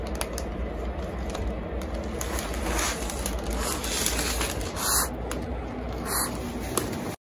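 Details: Pet spotted eagle-owl, angry at being lifted on its perch for cleaning, gives short, breathy hissing puffs in bursts, partly masked by low rumbling handling noise and scraping indoors.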